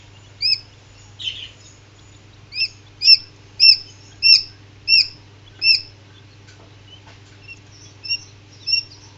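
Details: Common quail chicks just hatching in an incubator give thin, high, slightly falling peeps, about one or two a second, over a steady low machine hum.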